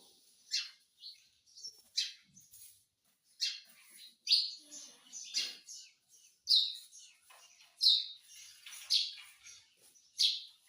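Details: Pet Indian ringneck parakeet, kept as a talking parrot said to speak Hindi words, gives short sharp high chirps and rasping notes in scattered bursts about every second, with brief quiet gaps between.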